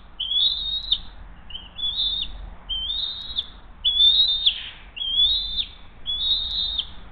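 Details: Hays nest, bald eagle mother feeding her eaglet after delivering the second fish of the day, June 20, 2023 morning. Six high, thin whistled calls, each rising with a squeaky end, spaced about a second apart.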